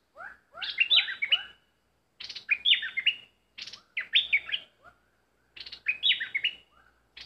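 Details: Decoy bulbul in full voice, bright warbling phrases of rising whistled notes and quick chirps, delivered in bursts separated by short silences; quiet background with faint low hum.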